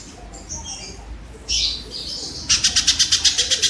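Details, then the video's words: Kingfisher heard as training audio for songbirds: a few soft, high chirps, then a brighter note, then a quick, even trill of sharp, high notes at the end. "suara burung tengkek"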